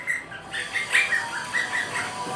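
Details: Pet monk (quaker) parakeet on Halloween gives a rapid series of short, harsh, nasal squawks in quick succession.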